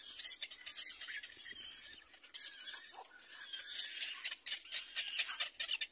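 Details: Little black cormorant chicks at the nest beg and compete for food brought by their mother. The sound is a continuous chorus of thin, high-pitched squeals and rasping cries, rising and falling in intensity.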